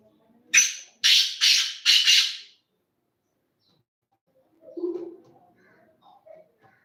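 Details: Loud black francolin call of one sharp note then three rasping scratchy bursts in even rhythm, then silence and a brief low murmur.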